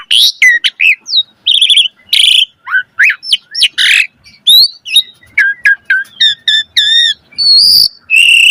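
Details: Energetic Asian pied starling song packed with varied phrases, meant to coax other starlings into singing: sharp chirps, looping whistled slurs, buzzy squawks and quick clicking notes, tumbling out in short bursts separated by brief silences.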